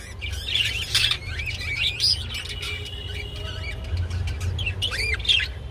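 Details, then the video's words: Budgerigar mating call during mating: squeaky rising and falling whistled notes mixed with scratchy chatter, a loud burst near the start and another near the end, steady low hum behind. "Budgie Mating and Sounds II Birds Mating Call"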